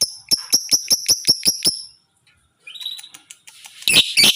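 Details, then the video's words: Tame but fierce caged lovebird giving its 'ngekek' chatter: about nine sharp, high chirps in quick succession over two seconds, then a short pause and softer scattered twitters ending in harsher bursts. "Love Bird jinak tapi galak, ngekek konslet"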